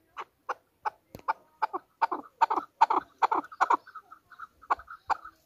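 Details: Hunter chukar, Pakistan's national bird, calling in a rhythmic series of throaty chuck notes that speed up and bunch together, then break into brief higher clipped notes before the chucks return.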